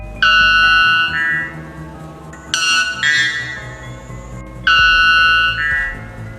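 White Bellbird giving three very loud, ringing, metallic blasts about two seconds apart, each rich and bell-like, over soft background music.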